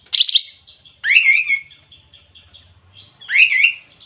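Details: Sooty-headed bulbul singing energetically: three loud, clear phrases about a second apart, each a quick slurred burst of bubbly whistled notes that sweep up and then down, with quiet gaps and a soft low hum underneath.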